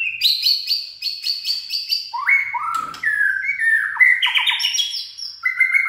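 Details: White-rumped shama in peak singing form, described as having a steely voice: a run of quick repeated high chirps, then varied fluting whistled phrases that drop low and climb again, with sharp ringing accents.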